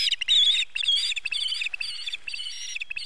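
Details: Osprey at its nest when a fish is brought by the male, 4 September 2019: a rapid, rather continuous chatter of clipped whistled chirps, with faint tapping underneath.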